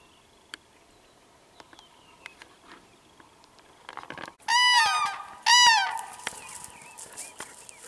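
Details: Crane confronting a dog, recorded 21 April 2015: scattered clicks and faint distant birdsong, then two loud, rolling trumpeted calls about a second apart near the end.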